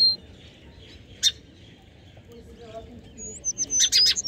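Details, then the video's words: Sparrow calls: one sharp, buzzy chirp stands out early, then a long lull of low background rumble, ending with a quick burst of high, thin whistles and rasping chirps. "Sparrows Sound"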